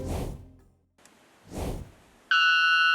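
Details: A male three-wattled bellbird of the Central American cloud forests gives a sudden, explosive, loud metallic bonk with a ringing, bell-like tone near the end, after two soft whooshing sweeps; males use this call to attract females.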